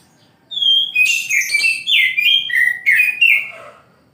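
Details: Oriental magpie-robin singing in the morning: a rich, fast sequence of loud whistled notes, each dropping in pitch, with harsher buzzy overtones and a final lower fading warble.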